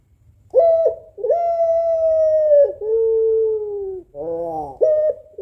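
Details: Female African collared dove of the long-cooing puter pelung type calling to the male. Sustained, slightly falling coos of about one and a half seconds, broken by a short buzzy throaty note, with a clipped coo at the end.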